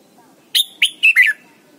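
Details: Red-whiskered bulbul in Thailand, recorded as a singing lesson for young birds: one short phrase of four clear notes, a sharp whistle followed by three descending, slurred warbles, over soft low hum.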